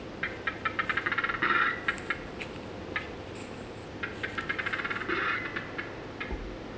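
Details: Black-billed capercaillie lek song at the Baikal Nature Reserve, Buryatia, Russia: dry clicks speeding into a rapid rattling burst, given twice in quick succession. Hunters claim this song pattern leaves the birds less deaf during display, making them harder to approach.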